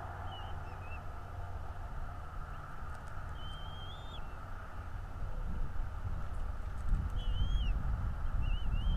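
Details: Bald eagles at their northeast Florida nest, recorded by a live nest camera in the morning: a few scattered high, thin whistled notes with slurred ends, separated by pauses, over a steady low roar of wind or traffic that grows louder.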